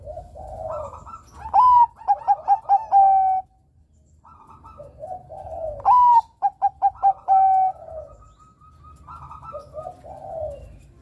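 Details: Bangkok-strain zebra dove (perkutut) in lively song, used to lure young males: soft gurgling coos, a rising note, a quick run of five or six staccato beats, a drawn-out coo, given twice.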